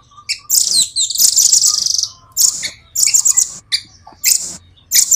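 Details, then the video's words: Caged velvet-fronted nuthatch, red-billed, singing a clear, fast, tightly packed rolling song: very high, dense trill bursts, one long sustained roll near the start, then short separated phrases. "Rambatan gacor jernih,speed rapat ngeroll panjang"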